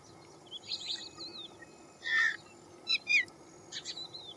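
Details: Citrine wagtail foraging in fields gives a harsh, buzzy call amid scattered thin, high chirps and twitters from small birds, over a low background rumble.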